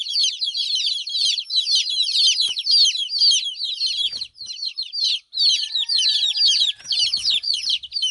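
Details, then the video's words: Chicks chirping nonstop, a thick layer of piercing high peeps overlapping continuously, a couple of brief gaps and a faint thin tone near the end. "Cute Baby Chicks Chirping Sound"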